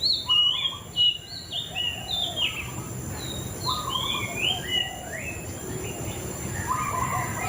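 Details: White-rumped shama singing a rich run of whistled notes, rising and falling slurs in rapid sequence, some lower fluty phrases between, with constant background noise.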